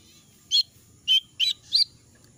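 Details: Jongkangan in moult, losing feathers, its voice hoarse and unable to sing fully; four short, sharp high chirps spaced irregularly across two seconds, over a faint low background hum.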